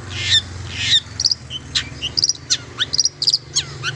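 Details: Long-tailed shrike song, meant to stimulate silent shrikes into singing: high scratchy chirps, short whistled slurs and clipped twittering notes in uneven bursts, over a steady low hum.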